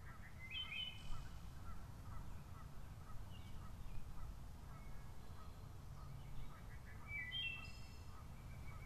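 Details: At Lake Needwood on 6 May 2014, two clear, flutelike phrases of a wood thrush stand out several seconds apart. Softer calls from other birds and a steady low rumble continue beneath them.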